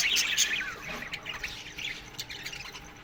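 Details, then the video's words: Budgerigars calling in an aviary in the morning, opening with a loud sharp squawk and falling chirp, then quieter scattered clicks and chirps. "Budgies Morning Chirping Sounds"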